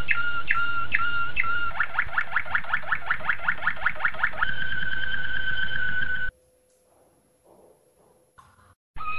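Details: Malinois Waterslager canary training song for young canaries: spaced double notes, then a fast, regular run of repeated notes, then a long steady rolling tone, then a sudden stop and near silence with a brief final burst.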